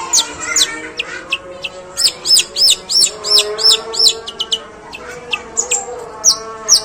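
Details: A long-tailed shrike, a future contest bird, mimics sparrows in a rough, drawn-out sequence: clusters of quick, high, down-sweeping chirps, a rapid burst midway, then scattered sharper notes.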